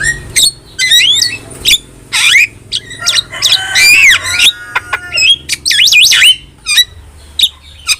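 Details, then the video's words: Dense starling song used as a tutor recording for pet starlings. Rapid squeals, clicks and rasping notes are mixed with looping whistled phrases in an unbroken, chattering medley. "OCEHAN JALAK GACOR | Masteran Dan Pancingan Yang Cocok Untuk Burung Jalak Anda"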